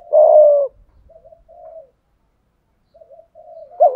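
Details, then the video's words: Spotted dove calling, thúc gù style: one loud, sustained coo sliding slightly downward, then a pause with soft, low murmured notes before another coo starts. "tieng chim cu gáy thúc gù/ gáy gọi"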